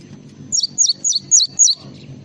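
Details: Java sparrow, used as a masteran (training recording for songbirds): five sharp, high chirps, each sliding downward, spaced roughly a quarter second apart, over a faint low hum.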